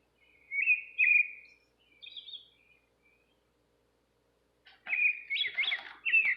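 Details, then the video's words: Nightingale singing beside a kitchen window, soft slurred whistles and a few high notes, a quiet gap, then a louder, richer run of fluty warbled notes to finish. "Nightingale singing"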